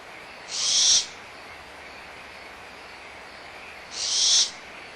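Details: Owlets of the barn owl at Audubon Starr Ranch Sanctuary, 17 April 2011, in a minor dispute over leftover food with the mother nearby; two raspy, hissing calls about three seconds apart amid background frogs.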